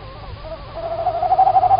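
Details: Evening call of a nearby female tawny owl, Estonia, March 2019: a quavering hoarse note that strengthens and pulses toward the end, over a steady low hum.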